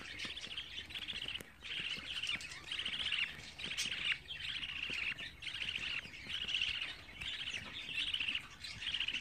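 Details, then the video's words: Budgerigar chicks at 24 days of age calling steadily: rasping, buzzy chatter in repeated bursts about once a second, punctuated by a few clicks, over nine seconds without pause. "Muhabbet Kuşu Serseri'nin Bebekleri #24.GÜN"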